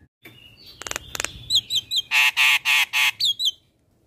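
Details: Javan myna from a tutor recording played every morning to train young mynas. A thin whistle and crackling bursts lead into six loud, evenly spaced nasal honking squawks with short squeaky whistles between.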